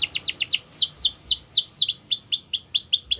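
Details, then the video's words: Yorkshire canary singing a training song meant for young canaries: bright, high whistled notes, each sweeping steeply downward, delivered in a fast steady series of about four per second, with a quieter trill near the top, over a clean background. "The Best Canary Training Song | Yorkshire Canary Singing"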